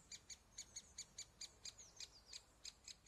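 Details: Great spotted woodpecker young at the nest hole, being fed by adults, give a steady run of shrill, high chirps, about four or five a second; only faint background noise.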